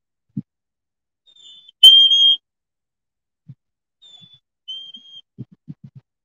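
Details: A recorded Black-capped Chickadee song played during a winter birding session: two clear, pure whistled notes, the second slightly lower, given twice, like "hey sweetie". Soft handling thumps sound between them.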